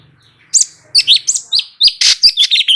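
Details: Light-vented bulbul in energetic song meant to trigger replies from other birds: a rapid string of bright, chirpy whistled notes delivered almost continuously after a short quiet start.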